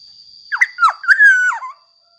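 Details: Black-naped oriole in persistent song, played as a lure to prompt other orioles to sing: one rich, mellow, fluted phrase of swooping slurred whistles ending in a long level note and a downward flourish, over a constant thin high tone.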